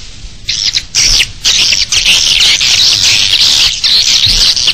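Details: Swiftlets twitter in a fast, dense chorus of high, buzzy chirps, with short clusters running together almost without pause, in an external bird-nest swiftlet sound recording.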